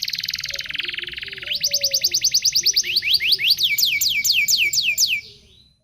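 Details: Local canary song used to teach young canaries: a buzzy rapid trill opening into fast repeated downward-sweeping whistles that slow slightly before the song fades out.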